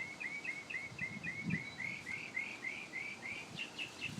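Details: An unidentified bird heard in the morning, credited with 25 different sounds: a steady stream of rapid, slightly rising chirped notes in a mid-high register, continuing throughout against noticeable environmental noise and low rumbling.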